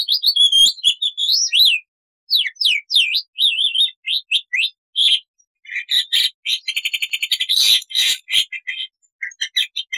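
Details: Black-winged starling singing a varied gacor song of long and short phrases: looping whistled slurs and zigzag notes give way to dense rattling chatter and harsh noisy bursts, then scattered quick chirps.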